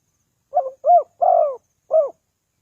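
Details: Single cooing phrase of a spotted dove, used to lure wild doves: four low, soft coos, a short first note, a rounded second, a long sliding third and a brief final coo, with nothing else audible.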